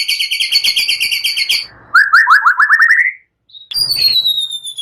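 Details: White-rumped shama lure song, said to include cililin and prenjak phrases, used to provoke other birds: a fast buzzy high trill, then a lower rising stuttered trill, a pause and a thin high whistle.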